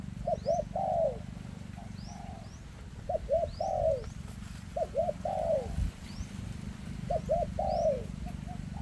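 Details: A spotted dove with an ailing leg delivers very dense 'kèm rước' cooing: two quick arched notes, then a longer falling coo, repeated four times, with faint high chirps of other birds over a low background hum.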